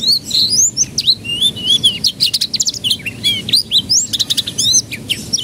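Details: Young canaries are meant to learn from this canary lure song: continuous warbling with looping whistled notes, short buzzy bursts and fast repeated chips, steady low hum beneath.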